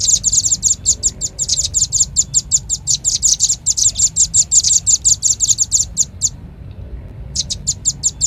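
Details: Lure recording of a velvet-fronted nuthatch: steady, insistent streams of thin high chips, several a second, with one brief silent gap before the chattering picks up again.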